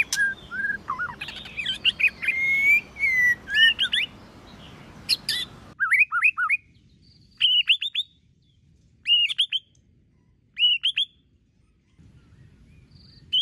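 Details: White-rumped shama singing many voices in competition style: an opening tumble of fluty whistles, trills and clicks over hiss, then spaced repeated phrases of bright, sharply slurred whistles every one to two seconds in quiet surroundings.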